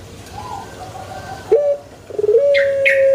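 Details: Pelung chicken crow beginning with a short note, then fluttering pulses leading into a long even tone; faint chirps of small birds sound over the held note.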